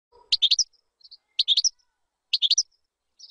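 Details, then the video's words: European goldfinch song used to teach chicks: short bursts of bright, tinkling, high twitters, a phrase roughly every second, with a few thin buzzy notes between them. "تغريد طائر الحسون بدون أخطاء لتعليم الفراخ"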